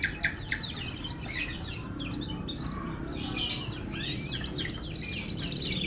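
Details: Canary of F1 stock in continuous song: dense, high rolling trills and quick rising and falling notes in rapid bursts, over a steady low background hum.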